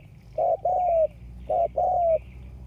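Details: Decoy spotted dove used to attract wild doves, recorded August 2021: two paired phrases, each a short hollow coo then a longer sustained, gently falling coo, over a low background hum.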